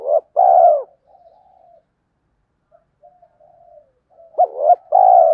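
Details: Lure call of a spotted dove for catching wild birds: a brief note and a long hollow coo, a quiet murmuring pause, then a quick double note and another long coo at the end.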